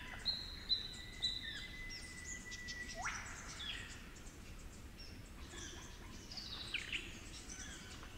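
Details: Werrikimbe Wilderness Superb Lyrebird, New England Tablelands, New South Wales, singing in cool, damp forest with its local flute-like accent. Three sharp high clicks, then a long level whistled tone ending in a steep upward sweep. Faint other calls follow over quiet background noise.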